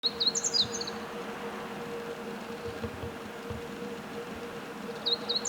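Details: Meadow bunting singing: a short, high, twittering phrase of quick chipped and slurred notes opens, and another phrase begins at the very end, over a steady low hum and faint background rumble.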